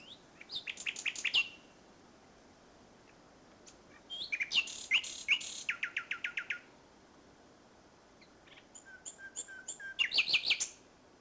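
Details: Singing common nightingale, Salthouse in Norfolk, early May 2011 at day's end: three separate phrases, fast clicking trills and rapid repeated downslurred notes, with short pauses between bursts.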